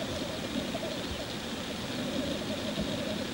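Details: Black grouse at a courtship lek, giving a continuous low bubbling, cooing rookoo that rolls on without a break, with a steady background rumble.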